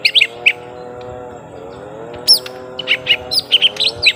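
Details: Young lesser green leafbirds fighting: a few sharp chirps, then a near pause, then a quick run of clipped whistled notes and rising sweeps, with a constant low mechanical-sounding drone underneath.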